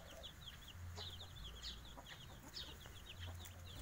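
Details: Five-day-old Javanese native kampung chicks give rapid, high, short peeps that sweep slightly downward. The peeps repeat several times a second in busy overlapping runs over a low background hum.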